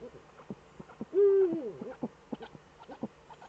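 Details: Eagle-owl pair back in the Eifel, Germany, 18:47 on 11 March 2013: a single clear level call that slides downward, surrounded by frequent quieter clicks and knocks.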